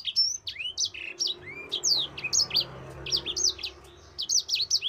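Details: Mozambique canary delivering a long rolling training song for other birds, a fast chain of high, slurred whistles and downward sweeps, briefly pausing near the end before resuming with clustered notes.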